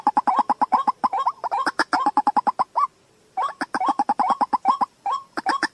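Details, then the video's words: White-breasted waterhen giving a fast, stuttering stream of short, clicking notes with upturned hoots, a brief gap, then the rapid run resumes. "Jal murgi ki Awaaz 07/2024. TUFAN. Waterhen Call Sound."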